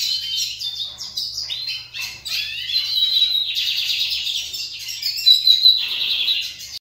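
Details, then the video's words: Owned lined seedeaters compete with bright, fast, high song. Quick descending chirps lead into sustained rapid trills and louder buzzy bursts near the end. "Meus bigodinhos disputando canto"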